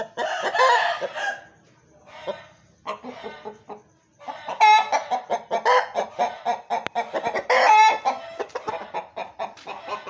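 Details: Aseel rooster crowing amid farm clatter: a few drawn-out harmonic crows break through around the middle and late seconds, mixed with clucking, scratchy noises and a loud broadband burst at the start.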